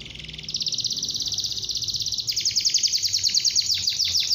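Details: Canary song played to get young canaries singing sooner: a steady high rolling trill that jumps higher partway, ending in a few quick downward-sweeping notes.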